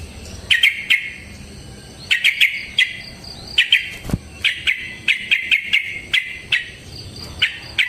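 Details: Sooty-headed bulbul in energetic fighting song, used as a lure to make other birds sing back. Clustered bright chirps come in bursts of two to five notes, with short gaps between the groups and a sharp crack midway.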